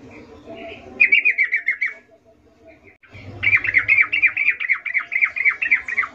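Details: Lively wild yellow-vented bulbul. A one-second chatter of quick, slightly falling notes is followed after a pause by a longer three-second run of fast repeated notes, with faint low background noise.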